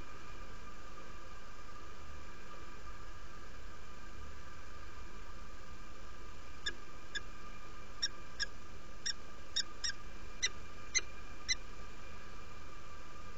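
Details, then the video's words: Female peregrine falcon arriving at the nest in Derby, UK, on 17 February 2017 at 07:47, inviting: about ten short, sharp harmonic chips in a loose series over the last half, over a steady low hum. "Female arrived to the nest , invites"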